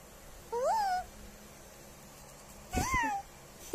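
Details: A 6-month, 12-day-old pet Eclectus parrot, prompted to say hello, gives two short rising-then-falling voiced utterances about two seconds apart, somewhat meow-like, ending with a brief click; described as its first word.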